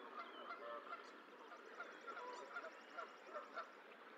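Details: Goose calls at the Decorah eagle nest during the hatching of the sixth goose egg, 14 April 2024. Soft, evenly spaced nasal notes sound about every half second over a light hiss, with faint high chirping from other birds.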